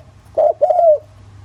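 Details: Spotted dove in the thổ-voice style, used as a lure to make other doves call: one short coo, then a longer, smooth, slightly falling coo, over a low steady hum.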